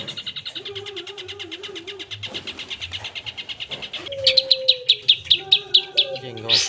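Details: Long-tailed shrike singing vigorously with isian fill-ins: a steady rapid ticking train, then louder sharp clipped notes about three per second, with a wavering lower whistle from another bird alongside.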